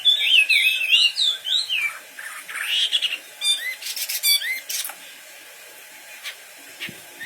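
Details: Wambi bird singing busily: two seconds of fast, twisting whistled phrases sweeping up and down, then scattered short upward slurs and sharp clicks fading into quiet background hiss.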